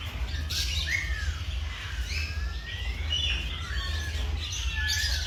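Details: Birds singing in the morning: clear slurred whistles rising and falling, scattered chirps and squawky notes from a few birds, with a steady low hum beneath.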